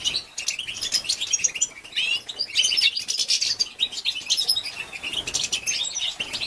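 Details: European goldfinch female producing batbata calls to stimulate males. Busy, high-pitched chatter of twittering notes with short sharp whistles, coming in bursts with brief pauses between them.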